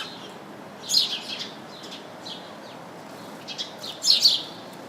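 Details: A house sparrow (Passer domesticus) calls while sitting chirping in a bush full of house sparrows. It gives short, bright chirps in two brief clusters about three seconds apart, with softer single chirps between, over quiet background hiss.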